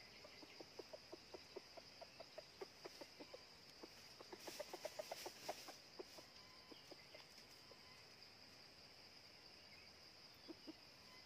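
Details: Decoy red junglefowl rooster set out to lure wild birds, out of season: rapid, uneven low clucks, bunching into a denser burst midway, with a continuous shrill insect drone behind.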